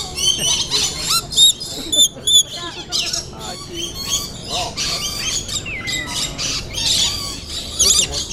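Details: Rainbow lorikeets in a hand-feeding aviary at Cincinnati Zoo give a steady stream of shrill, screechy chatter and rasping squawks from several birds at once, with people talking in the background.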